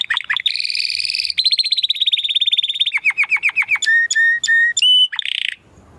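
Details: Singing Belgian canary, 'estralando' crackling style, moving from a buzzy rolling trill into a fast even trill, a series of sharply falling notes, level whistled tones, and a final short buzz before silence.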